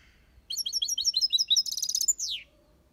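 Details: European goldfinch kept in an aviary, singing in the 'copia Malaga' style: quick repeated tinkling twitters building into a buzzy rattle, finished by a clear downward slurred note.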